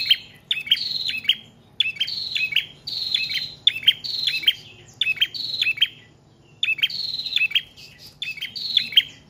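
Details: Continuous prinia singing, used as lure and training audio for cage birds: bursts of sharp paired chirps mixed with drawn-out, slightly falling high whistles, separated by short pauses.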